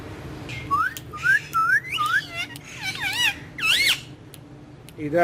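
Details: Ringneck green parrot playing on a wall, a talker of Urdu and Hindi, gives a run of short rising chirps that turn into wavering warbles and a harsh squawk, against steady low hum.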